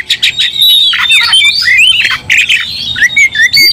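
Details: Provoked Oriental magpie-robin in combative mood delivers a long, sustained whistled line mixed with grating, noisy squawks, followed by short, bright, repeated whistled slurs near the end.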